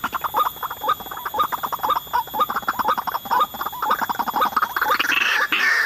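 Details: Ruak-ruak, or white-breasted waterhen, calling in undisturbed forest while being lured: a rapid, continuous string of short, croaking, slightly upturned notes, about two each second, with a louder rushing burst near the end.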